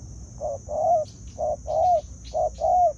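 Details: Spotted dove cooing in a decoy-bird trapping setting: three low, hollow two-part phrases, a short note then a longer slurred one, repeated about once a second over steady background hum.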